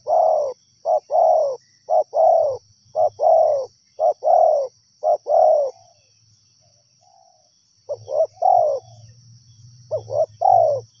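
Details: Wild spotted dove repeating its hoarse coo phrases: paired short notes, each followed by a longer, slightly falling coo. The phrases come rapidly for about six seconds, pause, then resume over a low background rumble.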